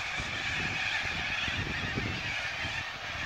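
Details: Thousands of corellas roosting for the evening on the Onkaparinga River make a dense, unbroken wall of harsh, rasping screeches. The overlapping calls blend into a roaring chorus with no single voice standing out.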